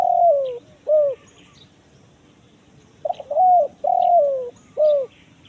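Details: Forest lure recording of a spotted dove, 'kuk 1 mersik' style: the tail of one phrase with a drawn-out descending coo and a short note, a pause, then a full new phrase of stutter, two long coos and a crisp final coo.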